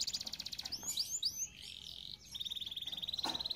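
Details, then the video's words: Canary song used for training canaries: a fast buzzy trill of repeated notes, a few sweeping whistled slurs, then a long even high trill of rapid pulses, about four per second in the rhythm. "Most powerful song for training Canary"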